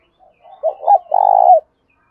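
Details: Cooing of a spotted dove, meant to set a captive dove calling: soft lead-in notes swell into two hoots and a long, throbbing, rolled coo that ends with a slight downward slur.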